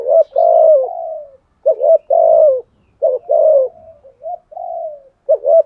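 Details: Fighting coo of a spotted dove in the thổ voice style: long low falling coos alternating with short doubled stutter notes and a softer wavering tail, repeated about every one and a half seconds.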